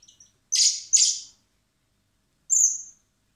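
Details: Common blackbird chicks in a recovery centre, hand-fed in spring before release, beg with two quick loud rasping chirps in a row, then after a pause a lone thin high squeal.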